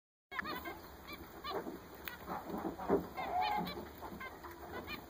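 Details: Several newly bought zebra finches, kept together, calling: short nasal, honking notes with stacked overtones, given in rapid irregular bursts by overlapping birds, with a steady background hiss.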